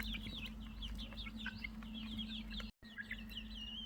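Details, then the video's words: Chicken chicks chirp in quick, bright, downslurred peeps, many in a row and overlapping. A low steady hum runs underneath, and there is a brief dropout just before the last second. "beautiful chirping sounds of chick's مرغی بچوں کے خوبصورت آواز"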